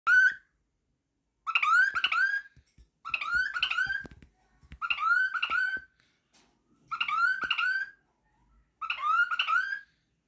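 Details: A pet cockatiel singing happily, whistling a short, bright tune, repeating the same rising-and-falling phrase every couple of seconds.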